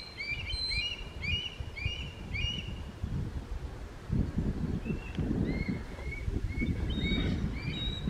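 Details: Juvenile red-tailed hawk in summer crying for its parents after they stopped feeding it: thin high whistled notes, each slurring downward, repeated in loose series, over heavy low rumbling outdoor noise.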